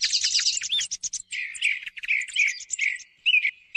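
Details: Thrush song for morning thrush hunting: quick high twitters giving way to lower whistled, slurred notes, ending with a short burst and a fading tone.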